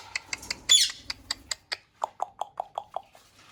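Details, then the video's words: A parrot's natural voice: a quick series of short, clicky chirps, one harsh squawk, then a run of evenly spaced lower chirps, about five a second, with a faint low rumble beneath. "Talking parrot Natural voice"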